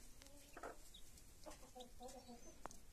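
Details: Broody hen clucks softly to her chicks with a run of low, nasal, harmonic clucks, roughly one every half second. A single high chick peep cuts in near the end over low background noise.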